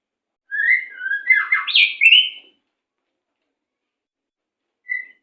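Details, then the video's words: White-rumped shama song for tutoring captive birds, 'macet sepid rapat' style: one continuous two-second phrase of sliding whistles and a scratchy warble climbing to a high bright note, then silence and a brief closing whistle. "Masteran Burung Murai Macet Sepid Rapat"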